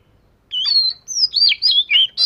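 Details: Fish-scale type Oriental magpie-robin giving a training song: sweet, drawn-out whistles followed by rich, slurred notes that rise and fall, delivered in quick bursts.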